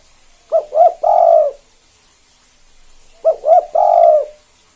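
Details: 'Kuk 2' style spotted dove cooing to provoke other doves to answer: two quick short hoots then a long mellow falling coo, the three-note phrase given twice about two seconds apart, low-pitched with a faint hiss behind.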